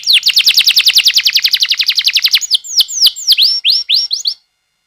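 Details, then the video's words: Canary song meant to coax young canaries into singing: over two seconds of rapid repeated falling notes, then slower bright down-slurs and a few rising notes before stopping. "MASTERAN Kenari Paud CEPAT Bunyi‼️ Pancingan KENARI GACOR DURASI Panjang Ngerol"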